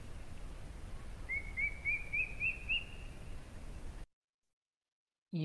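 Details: A fork-tailed drongo-cuckoo, a summer migrant to central India whose call resembles a crested hawk-eagle's, gives six clear whistled notes, each slightly higher than the last, about three per second, over steady background noise.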